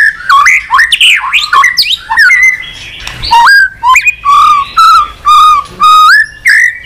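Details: White-rumped shama singing continuously in many unusual voices, opening with jumbled chattery swoops and clicks, then settling into steady, evenly spaced low whistled notes repeated roughly every half second.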